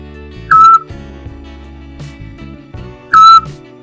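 Little owl giving two sharp, whistled kiew notes that drop in pitch and then level off, about two and a half seconds apart, over soft background music.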